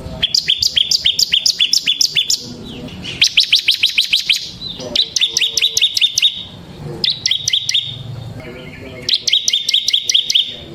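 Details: Bar-winged prinia, semi type, singing ngebren song as a lure for kristal prinias and as tutor song. Five rapid, chattering bursts of high, sharply repeated notes are separated by brief gaps.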